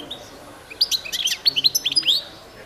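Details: European goldfinch of the Balkan form, Carduelis carduelis balcanica, recorded as a 2022 world championship song competition entry: a lively burst of high twittering notes and quick rising whistles, bright and clear over a quiet background.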